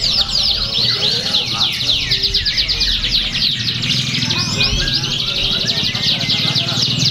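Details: Canary song at a bird-singing contest in Pringsewu, Indonesia, on 22 September 2019: dense, rapid, high trills and chattering whistles run without pause, overlapping as if several birds sing at once, over murmuring voices and low crowd noise.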